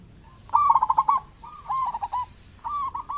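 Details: Actively calling local zebra dove, its voice used as a lure to draw other zebra doves into calling. A loud, bouncy trill of clipped cooing notes, a softer echoing phrase, then another starting.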